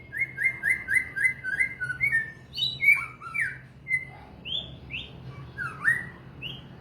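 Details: White-rumped shama (murai batu) song opening with about eight quick identical whistled notes in a steady series, then breaking into richer varied phrases of upslurred and downslurred whistles with short pauses between them.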